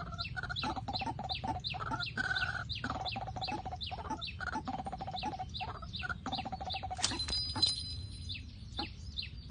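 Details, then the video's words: White-breasted waterhen at night, its call played as a trapping lure: rapid, harsh clucking bursts in uneven runs with falling high squeaks, then a brief, steady electronic tone near the end, over low background rumble. "เสียงนกกวัก กลางคืน"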